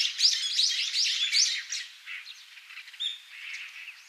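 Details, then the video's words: Brown-eared Bulbul, Taiwan subspecies, wild on Yonaguni Island, Japan: a burst of high scratchy chirps and rising squeaks for about a second and a half, then quieter scattered twitters trailing off. "ヒヨドリ（3）タイワンヒヨドリ（与那国島） - Brown-eared Bulbul"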